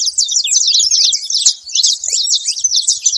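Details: Saffron finch at a feeder, a loud burst of quick high slurred chirps packed closely together, a few falling notes near the end.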